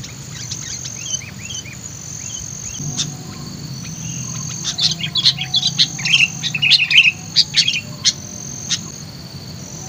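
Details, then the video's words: Sooty-headed bulbul kept as a lure bird, described as lively and highly vocal: sparse thin chirps at first, then loud, rapid clusters of sharp, bubbly notes, over a steady high insect whine. "pikat kutilang ini sangat GACOR LINCAH & VOKAL"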